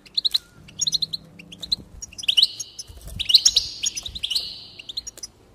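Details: Goldfinch singing, meant to stimulate other goldfinches to sing: quick liquid twitters and sharp chirps building into longer buzzy, jangling phrases, with faint low background hum.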